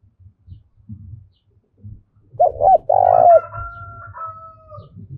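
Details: Spotted dove call for luring wild doves, heard over a low rumbling background. A clear phrase of two short notes and a long purring coo, followed by a sustained thin whistle and faint further coos.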